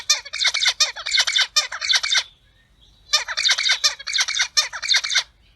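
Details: Captive-bred zebra finches kept and recorded at home, giving rapid runs of nasal, buzzy 'piap' notes, about four per second, in two bursts separated by a short pause of roughly a second.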